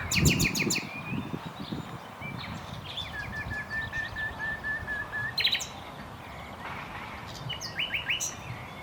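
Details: Common nightingale (Luscinia megarhynchos) singing in varied phrases: a burst of rapid clicking strokes, then a fast run of pulsed notes on one steady pitch, short buzzy trills and sharp whistled flourishes, over constant low rumbling background noise.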